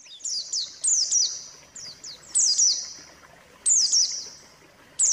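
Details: White-eye lure song to get a silent bird singing: short sharp bursts of high, down-slurred whistled notes, each burst ringing briefly, repeated at uneven intervals of about a second.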